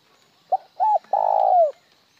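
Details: Spotted dove giving a plain coo with no trailing note. A short note, a doubled note, and a long pulsing coo slurring downward make up the phrase, and the surroundings are quiet.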